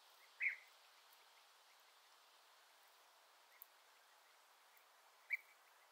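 A European bee-eater gives two short, burry mid-pitched calls about five seconds apart, with a faint note between them over steady high hiss.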